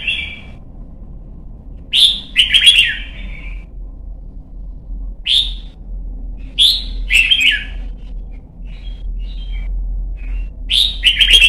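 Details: Young white-cheeked red-whiskered bulbul trained toward competition singing gives short whistled openers and fuller rolling chortled phrases at irregular intervals, with faint soft chirps between and a constant low background hum.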